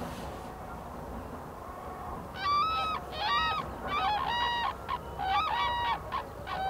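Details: Black-necked Cranes foraging in Phobjikha Valley, Bhutan, in winter; after two quiet seconds of low background noise, a run of harsh honking crane calls starts, repeated in quick uneven bursts.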